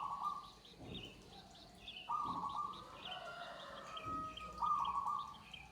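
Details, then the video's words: Perkutut joglo, a zebra dove, sings repeated smooth coos in long phrases, with a chorus of other birds chirping high and quick behind it and a few low knocks. "suara perkutut joglo"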